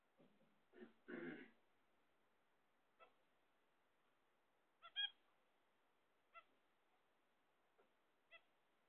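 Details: Pet zebra finches waiting for eggs: a brief rustling, shuffling noise near the start, then scattered nasal beeps and a louder doubled honk, spaced irregularly over several seconds.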